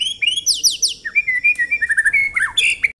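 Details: White-rumped shama 'tembakan rapat' song used as contest training material: quick descending high whistles, then a fast string of short, clear, whistled notes and a final buzzy flourish.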